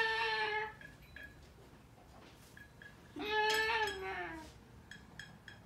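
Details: A cockatoo named in the clip as a pet sings two drawn-out, voice-like notes, a short steady one then a longer one that swells and slides downward, with soft clicks between, in a quiet room at night.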